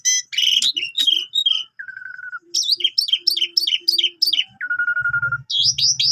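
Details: Jalak suren in full song for tutoring canaries: quick chattering notes, a flat whistle, a run of seven repeated rising chirps, another flat whistle, then chirps over a low hum.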